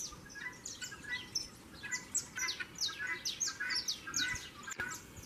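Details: Saffron finch, agitated and quarrelsome near the start of breeding season, giving a rapid tumbling series of sharp, high downslurred chirps and brief twitters, about two notes a second, over a faint steady hum.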